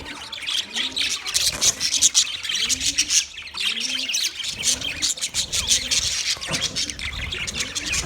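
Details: White male budgerigars chirping in mating; continuous high twittering chatter over a series of soft, low, arched cooing notes repeated roughly every second in the background.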